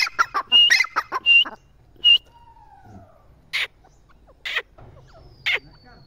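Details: Partridge ending a burst of whistled and clucking phrases, then falling to a few scattered single notes spaced more than a second apart, with a faint descending tone in between.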